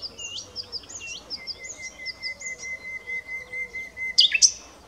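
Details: Common nightingale song, with a long, thin, level whistle held for nearly three seconds, ending in a sudden loud, sharp burst of notes. Soft chirping of other birds runs underneath.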